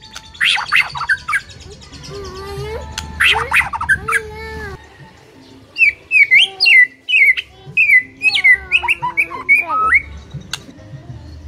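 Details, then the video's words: White-rumped shama song, meant to rouse a silent bird into full song: loud whistled notes and warbles, some low mellow whistles, then a fast run of short sharp rising chips. "MUTAI BISU SONTAK NGAMUK PLUS GACOR KOAR KOAR"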